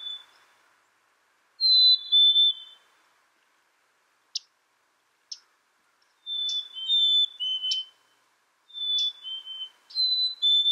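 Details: Black-capped chickadee giving a sweet whistled song of two or three falling notes, repeated several times. Short sharp clicks come between the phrases in an otherwise quiet setting.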